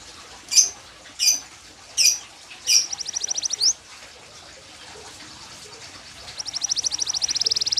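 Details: Yellow canary song: four sharp, high chips about a second apart, a short rapid trill, a quiet pause, then a long, fast, rattling high trill that builds in loudness.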